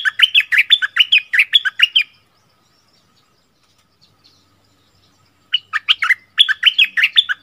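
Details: Bulbul singing in a double-phrase style, recorded in February 2021: rapid bursts of bright, rich whistled notes that swoop up and down, about two seconds of song, a pause, then the phrase returns.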